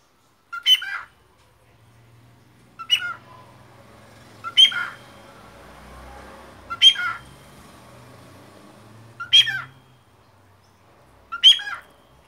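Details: Two three-week-old cockatiel chicks; short, bright squawking whistles repeated about every two seconds.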